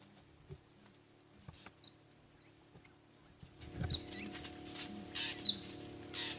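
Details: Endangered southern ground hornbills call at dawn from beyond a safari vehicle in northeast South Africa under a grey sky: faint, deep, distant booming hoots about a second apart, under engine hum and rustling.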